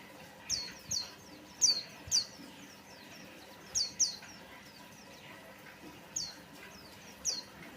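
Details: White-eye sounds used as a lure to get other birds singing: thin, very high chirps, each sliding downward, given singly or in quick pairs every second or so, over a faint low hum.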